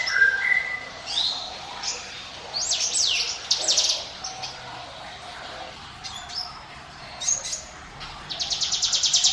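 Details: Prinia song for luring other birds: scattered high whistled sweeps and chirps, fairly soft, ending in a rapid high pulsing trill.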